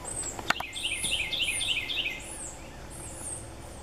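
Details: Adult male red-bellied woodpecker feeding a fledgling among full trees; a quick stream of repeated rising chattering notes after a sharp knock, with high whistled calls of other birds overhead.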